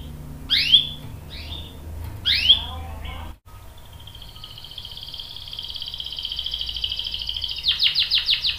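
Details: Canary calls used to draw out a male singer: a few sharp rising chirps, then a quiet, swelling buzzy trill that breaks into quick clipped notes at the end.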